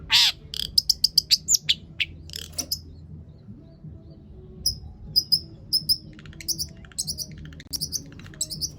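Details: Long-tailed shrike singing loudly, its song packed with mimicked material, meant as a lure to make other shrikes sing; sparse high chirps and short whistled notes with pauses between bursts over a low hum.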